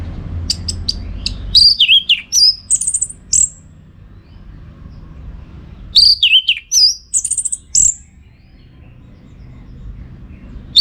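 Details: Orange-headed thrush singing vigorously, a master recording used to train contest birds: two bursts of rapid, high, varied whistles, slurred notes and sharp chips, each lasting about two seconds and separated by a four-second pause, over a faint low hum.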